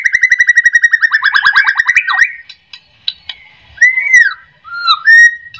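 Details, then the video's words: White-rumped shama lure song for prompting other shamas to sing: a fast series of repeated pulsed notes, then pauses broken by mellow arched whistles and short slurs. "AMPUH buat pancingan murai"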